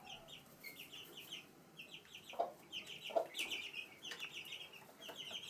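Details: Chicks with their mother hen, Sandoval de la Reina, April 2016: continuous high, thin cheeping from the young dominates, broken by two brief low clucks from the hen midway.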